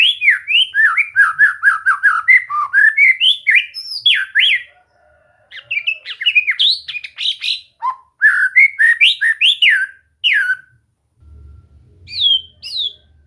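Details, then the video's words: White-rumped shama (murai batu) in relaxed training to sing freely: a long, rich outpouring of rapid, varied whistled phrases with swooping up-and-down notes, brief pauses, then scattered rising whistles near the end. "Latihan santai untuk murai batu AGAR MAU BUNYI dan GACOR"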